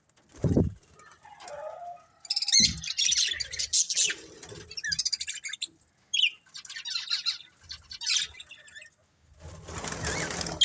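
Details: Colourful budgies, a family group, give scattered high buzzy chirps and chatter between bursts of wing flapping and low thumps, with short silent gaps.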